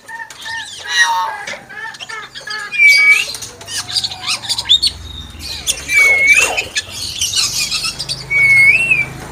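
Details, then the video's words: Caged common hill myna uttering a string of harsh squawks and noisy chatter interspersed with pure, loud whistles that rise and fall, with a low background hum. "BURUNG BEO SUARA AYAM"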